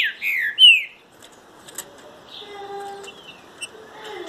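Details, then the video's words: Green-winged saltator giving a short phrase of bright, downslurred whistles in the first second, then only faint thin tones and soft background hiss. "TRINCA FERRO SHOW"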